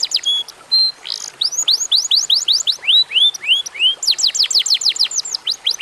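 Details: Vigorous Atlantic canary song meant to trigger singing in other canaries: rows of curved rising-falling notes in quick succession, lower arched whistles in the middle, then fast steep sweeps.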